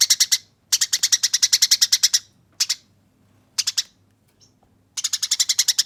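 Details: Eurasian tree sparrow giving a fighting song used as training audio, rolling, harsh and clear: bursts of rapid high chirps, a short run, then a long train of about fourteen notes, then shorter groups after silent gaps.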